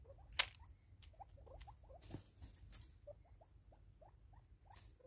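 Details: Five Natal spurfowl feeding together in South Africa in 2024, giving soft, quick, rhythmic rising chirps, several a second, over light pattering and tapping, with one sharp click early on.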